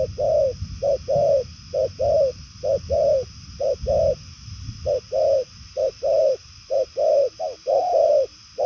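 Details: Spotted dove of the purple-legged 'đồng son' type giving fast 'bài lối' cooing: mid-pitched short-long coo pairs, about one per second, steady and clean over a faint background hiss.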